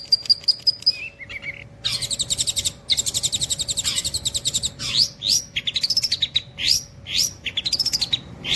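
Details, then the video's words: Long-tailed shrike imitating the cililin in a varied run of song: high tinny notes, dense rasping chatter, then a series of looping rising-and-falling whistles alternating with sharp chirps. "CENDET NEMBAK CILILIN TEMBUS BOLO"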